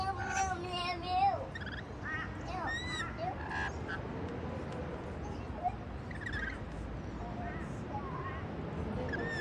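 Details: Rainbow lorikeets eat white bread on a patio. A burst of rapid, rasping chatter opens the passage, followed by scattered piercing, arched screeches over low background noise.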